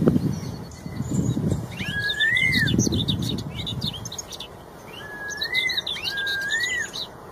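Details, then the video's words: Wild red-tailed straw-headed bulbul singing loud, clear song: smooth fluty whistled phrases that rise and fall, in two bursts, with high rapid chirps of other birds and low rumbling noise early on. "CUCAK ROWO EKOR MERAH | MASTERAN MEWAH | GACOR NGEPLONG..DI ALAM LIAR."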